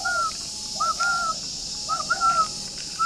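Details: Captive spotted dove at a Ba Vì, Hanoi bird garden, heard on a morning just after it woke. Clear two-part coos, a brief upswept note then a longer even one, recur roughly every second against constant background hiss.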